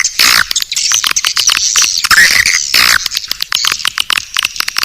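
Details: Swiftlet lure call named Naga Birahi, played to attract swiftlets: dense, rapid twittering chirps mixed with sharp clicks, some chirps sweeping up and down, with bursts coming in quick, irregular succession throughout.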